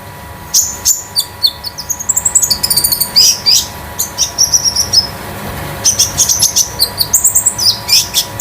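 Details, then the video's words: Kept konin sunbird at home, used as a master tutor bird, singing a metallic song: rapid high chirps, thin descending whistles and dense twittering bursts, with short pauses between phrases. "KONIN DAMER METALIK LEPAS TROTOL"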